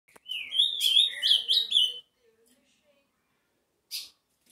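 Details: Ultramarine grosbeak singing one rich, warbled phrase of slurred whistles that rise and fall, lasting about two seconds, followed by silence and a short faint note.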